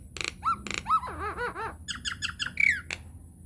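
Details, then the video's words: Lure song of a Nias hill myna meant to spur rival mynas to sing: rich bending whistles and wavering nasal notes follow short harsh bursts, closing with a bright falling whistle. "PANCINGAN / MASTERAN JALAK NIAS GACOR, TEMBAKAN DAHSYAT 🔥 |INDIAN MYNAH BIRD CALL"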